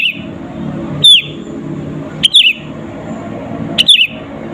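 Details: Sooty-headed bulbul song used to make rival birds agitated, with no other birds mixed in: one lone clear note, then two short chirpy phrases of falling notes, widely spaced, over gentle low background noise.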